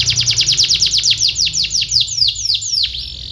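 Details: Training song of a canary for young birds learning to sing: a steady run of bright, high notes sweeping downward, repeated about five times per second and slowing slightly toward the end.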